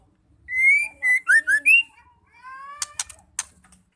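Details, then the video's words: White-rumped shama female, whose calls are used to get males singing: a loud whistled phrase of rising and upslurred notes, followed by a softer rising whistle and sharp harsh ticks. "Murai betina gacor bikin murai stres nglowo LANGSUNG nyaut bunyi"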